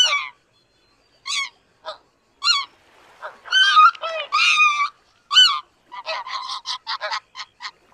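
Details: Greater white-fronted goose calling: a series of high, rising-and-falling yelping honks in quick, irregular succession, some overlapping as several birds call together, with short pauses between bursts.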